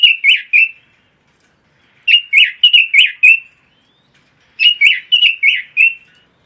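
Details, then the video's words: Red-billed leiothrix, an imported cage songbird, singing repeated clear warbling phrases of three to six fast notes, each phrase followed by a pause of over a second; no other sounds. "Kicau Burung ROBIN"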